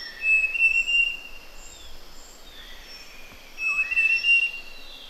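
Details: Large niltava in Pha Hom Pok National Park on Doi Lang, Chiang Mai, Thailand, giving two clear high whistled phrases of three or four level notes, about three seconds apart, over quiet forest ambience.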